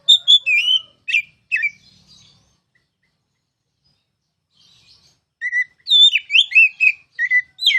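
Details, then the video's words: Oriental magpie-robin ngeplong song as masteran tutoring material: a quick burst of chirpy, slurred whistles, a long silent pause, then a lively stream of varied twisting and buzzy whistled notes. "KICAU MASTERAN KACER CALON JUARA!!!"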